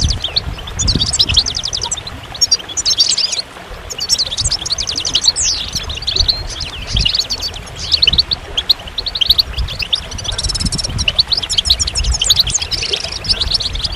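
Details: Long stretch of goldfinch singing: a continuous high, tinkling warble of fast trills, buzzy rattles and liquid twitters, the phrases overlapping almost without pause, over a soft low background hum.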